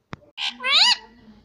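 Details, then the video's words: Pet parrot speaking indoors, a tap then a short noisy syllable and a loud, bright, harmonic arched note that rises and falls before fading to quiet room sound. "parrot talking everything"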